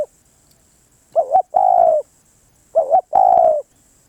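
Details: Spotted dove giving two song phrases. A short wavering note leads into a longer, rich coo that falls slightly at the end. The background is quiet.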